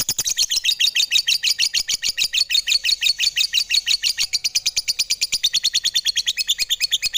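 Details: Lovebird giving a fast, steady stream of high, sharp chirps, about three per second, bright and ringing throughout, with faint thin tones underneath and no other clear sounds.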